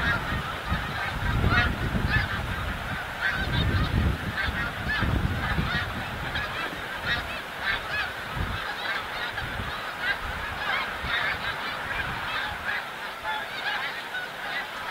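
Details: A large flock of snow geese during migration at Montmagny, capital of the snow goose, calling nonstop: many barking, nasal honks overlap into a steady chorus, with bursts of low rumble, probably wind, through the first half.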